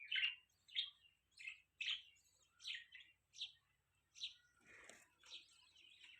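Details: Soft, distant-sounding budgie chirps repeat in a steady series, roughly two per second. Each is a brief, slightly descending, scratchy note, with a low rustle near the end.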